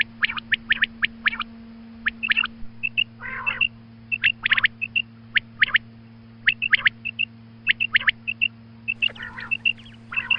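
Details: A female quail calls at dawn, a call used for quail hunting: sharp, high chirps in quick clusters and paired notes, repeated throughout, over a steady low electrical hum.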